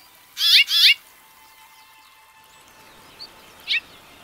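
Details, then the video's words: House finch giving two loud, closely spaced warbled notes with rapid wavering pitch, followed after a long pause by a faint short chirp and one more brief high note against a quiet background. "The Wonderful House Finch Song"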